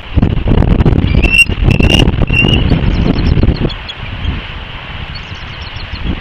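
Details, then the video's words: Male bald eagle on the West End nest, Santa Catalina Island, California, guarding eaglets under him and alerting to an intruder: three short high squealing notes near one second, over heavy wind rumble, 14 March 2024. "Bald Eagle Akecheta Alerting and Protecting the Nest From an Intruder"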